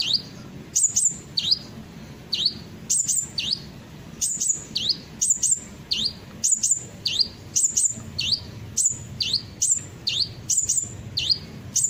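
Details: Sunbird song used as a lure to make other birds sing along: sharp, high downslurred notes and short whistled flicks repeated in rapid bursts, with brief pauses between phrases.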